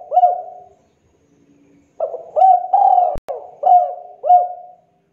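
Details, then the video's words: Spotted dove calling as a trapping lure in 'kuk 2' style: a fading coo, a short pause with a faint low tone, then a phrase of rising and drawn-out coos with a brief click, ending in two clipped coos. "SUARA MASTERAN DERKUKU TEKUKUR GACOR KUK 2 SUARA JERNIH, BERSIH, COCOK BUAT PIKAT/PANCINGAN"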